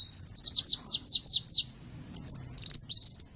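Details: Sunbird song for training songbirds: about ten rapid downslurred notes in a quick series, a short pause, then a bright warbling, twisting whistled phrase.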